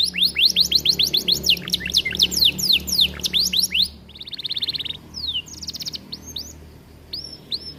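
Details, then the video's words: Caged aviary canary singing hard for use as a training recording: a rapid burst of steep downsweeps about four per second for four seconds, then buzzy rolls and a few spaced, arched whistles. "Kenari gacor cocok untuk masteran"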